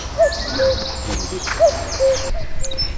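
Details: A common cuckoo, recently arrived from Africa, gives its soft, falling two-note 'cu-coo' twice, about a second and a half apart, over high twittering from other birds, recorded with a parabola in Vendée marsh and bocage, France, in spring.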